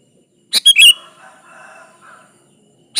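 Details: Sooty-headed bulbul, kutilang gacor, singing to lure a rival: one short burst of bright chirpy notes followed by faint murmuring warbles and a brief closing chirp.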